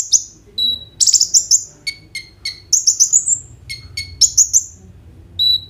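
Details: Energetic kolibri ninja sunbird singing, used as a lure to make others of its kind sing, recorded on an Oppo A37f: dense buzzy trills, high thin whistles and short stuttering note clusters, with soft background rumble.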